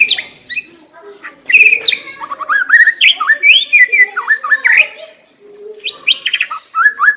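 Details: White-rumped shama song used as a lure to set a shama singing loudly and soon: a rich, varied flow of swooping whistles, chirps and sharp clicks, barely pausing, with a brief break midway.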